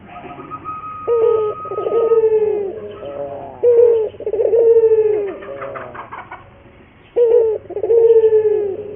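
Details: Barbary dove (local puter) singing a training and lure song: a brief rising note followed by a long, hoarse, gently sliding coo, repeated in uneven bursts with quiet gaps between phrases. A faint low hum runs underneath.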